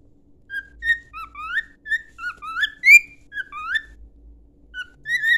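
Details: Cockatiel song meant for training, an almost unbroken string of ringing whistles with upward sweeps and warbling slides, ending after a short pause with a final pair of notes.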